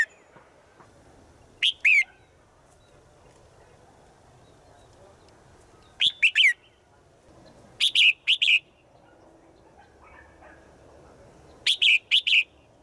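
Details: Female bird calling to a male in the forest, said to call daily: four bursts of sharp, high two-note chirps spread over about thirteen seconds, each pair quick and slightly falling, with long quiet gaps and a soft background hum.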